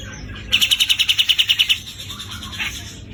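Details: Javan grey-cheeked bulbul (cucak jenggot jawa) giving a rough trill in the besetan kasar style: about thirteen fast, harsh, evenly spaced pulses over just over a second, then fading into quieter chatter.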